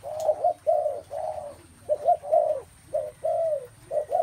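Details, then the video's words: Spotted dove cooing. Short hooted notes and longer drawn-out coos follow one another closely in uneven groups over a faint low hum. "tiếng chim cu gáy"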